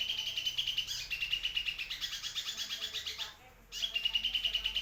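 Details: Sunbird in energetic song, used as a tutor recording for white-rumped shamas and magpie-robins; a fast, continuous, high-pitched trilling warble of rapidly repeated notes, with a brief pause before resuming.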